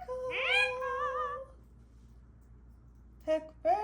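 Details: A pet Indian ringneck parakeet (rose-ringed parakeet) named Pickle, talking indoors: a drawn-out, wavering, speech-like phrase, then silence and two short, clipped word-like bursts.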